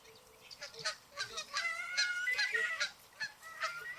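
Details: Canada geese swimming on a lake honk back and forth to each other in loud, nasal, two-part calls, several overlapping at a quick irregular pace, about two to three a second.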